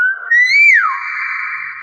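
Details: Nias hill myna after a man speaks: one loud, pure whistle that climbs, then swoops down and settles into a long, steady, sustained tone.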